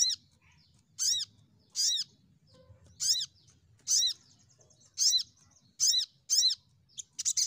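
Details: Crimson sunbird lure calls to get birds singing: a steady series of loud, arched, slurred high notes, each falling at the end, repeated about every second, finishing in a buzzy burst.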